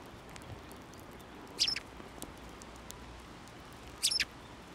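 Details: Sparrows at a Tenmangu shrine, 29 January 2024, coming to a hand for food; two short clusters of high, squeaky chirps about two and a half seconds apart, with quiet ambient noise between.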